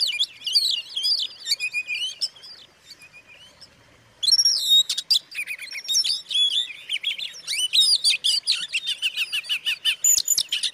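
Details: Oriental magpie-robin singing to stir other magpie-robins into agitation: a burst of fast whistled and chirping notes, a short near-silent pause, then a louder resumed torrent of sharp, varied whistles and trills.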